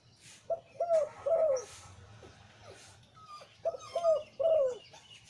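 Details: Deep-voiced breeding male zebra dove of the หลิ่วตัน type delivers two clear phrases, each of quick staccato coos ending in a long, falling, rolled note, separated by a short pause.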